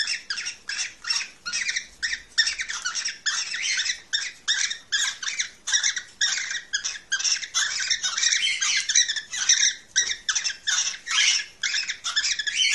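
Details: Cockatiel calling to stimulate breeding: a steady run of rasping, scratchy notes repeated about twice a second, dense and loud throughout, with no other sounds.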